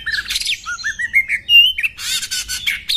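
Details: Female oriental magpie-robin sound used to set males off into display and fighting. Short rising whistles climb step by step to a clear, sustained note, followed by buzzy, harsh bursts.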